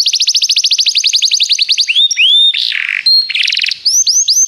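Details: Belgian canary singing, used for song training: fast repeated high trills of down-slurred notes, then rising whistled sweeps, a buzzy churring phrase and a steady pure whistle, ending in looping slurred notes.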